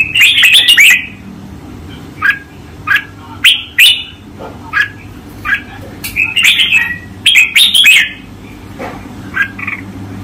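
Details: Cage-kept red-whiskered bulbul performing a training master song: an opening burst of jumbled warbles, then spaced sharp chirps roughly every half second, with two more warbled bursts in the middle.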